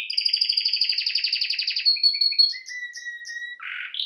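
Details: Canary, Serinus canaria, singing for training: a long rapid trill of pulsed high notes, then short descending whistles and a steady low whistled tone ending in a buzzy note.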